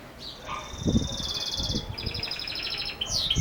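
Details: Belgian canary in 'campainha' bell song, with high rapid trills and a pulsed rattling phrase over low knocking and rustling noises in the background.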